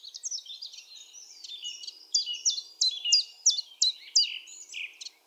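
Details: Common chiffchaff song at Topbjerg (Mønsted), Denmark, 5 April 2020: a rapid run of short, high, sharply dropping notes, about three a second, over a busy chatter of other small birds.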